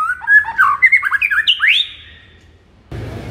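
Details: White-rumped shama morning song used to fire up a kept shama: quick varied whistled phrase of slurred and rising notes lasting two seconds, then quiet before a burst of low noise.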